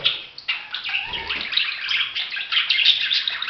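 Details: Budgerigar chattering nonstop, a rapid, rambling twitter of scratchy and whistled notes with a faint watery rushing behind it.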